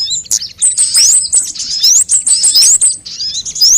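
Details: Sunbird lure calls for coaxing birds to sing: clear, high, steeply rising whistles repeated several times amid quick tinny chips and a brief trilled phrase.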